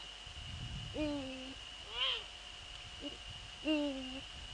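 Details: Eurasian eagle-owls in the Netherlands at 04:40 on 15 February 2013, a male visiting a female near the nest at night: deep hoots with a brief tremulous note, plus a higher rising-falling squeal, over a steady background hum.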